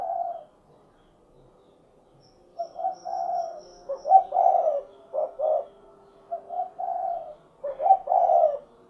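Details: Derkuku, the spotted dove, cooing "cukurukuk kuk geruk": a lone coo, a quiet gap, then a run of mellow hollow notes ending in a longer emphasized coo, the pattern repeating; quiet surroundings.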